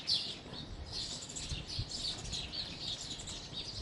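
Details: Several house sparrows chatter together, their quick high cheeps running steadily and overlapping throughout, over faint low environmental noise.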